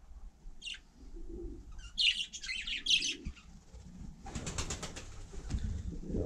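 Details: Budgerigar on snow in frost: a few short high chirps and a burst of scratchy warbling, then a broadband rustle of wing flapping and shuffling toward the end.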